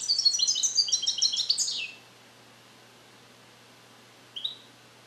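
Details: European goldfinch born in captivity in 2021, learning Neapolitan song passages, still incomplete; a rapid run of bright, high twittering and trilled notes for two seconds, then silence and one brief slurred note.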